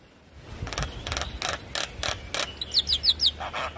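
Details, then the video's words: Javan myna song used as a lure to make a silent myna start singing quickly and nodding; a run of harsh, broadband rasping bursts roughly every third of a second, ending in four quick high down-slurred chirps. "Pancingan Jalak Kebo Macet Bunyi Ampuh Bikin Cepat gacor Manggut2"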